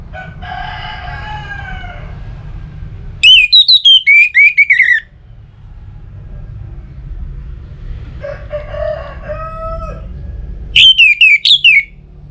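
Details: Orange-headed thrush from Singaraja, North Bali, Indonesia, singing as a lure to make other birds sing. Two loud bursts of high, clear whistled notes rise and fall rapidly. Between them come lower, drawn-out harmonic calls over a steady low rumble.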